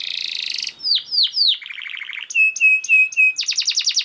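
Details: Canary master song to train other canaries: buzzy trill, three descending whistles, a rapid rattle, clipped steady tones, then a fast rolling trill.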